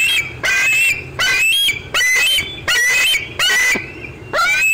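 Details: Bald eagle eaglet at the LOTO nest squeeing while an adult eats a fish in the old tree, 25 June 2013 at 4:45 pm: loud, high, thin whistled squeals in bursts under a second apart, each sliding and wavering.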